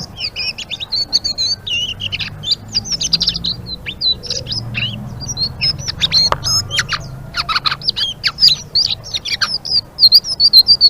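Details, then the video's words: Blue-winged leafbird in full vigorous song, ngeriwik style: an unbroken stream of shrill, high, warbling chirps and quick slurred whistles, varied and rapid throughout. "Suara Burung Selendang Biru Gacor❗❗ Ngeriwik"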